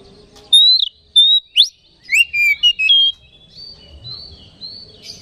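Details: Oriental magpie-robin song played as a lure to excite rival magpie-robins: loud clear whistles with sharp upward sweeps and descending slurs, trailing into softer high warbled phrases.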